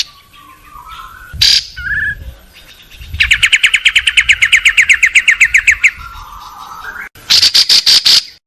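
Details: Long-tailed shrike tutoring song, 16 May 2022, home yard and rice field, recorded on a Samsung M30 phone: scattered harsh notes and soft lower whistles, then a long rapid ringing trill and a short loud buzzy run.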